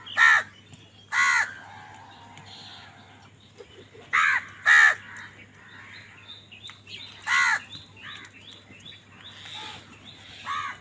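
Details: Repeated harsh caws from crows fighting over food: six loud calls at uneven gaps, some in quick pairs, with softer buzzy notes and chirps from other birds filling the pauses.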